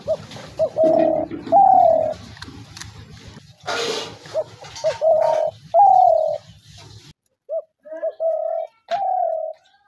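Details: Spotted dove calls used as a trap lure to draw doves in: a series of mellow, slightly descending coo notes repeated in short phrases, with a brief noisy rustle midway and low background hum.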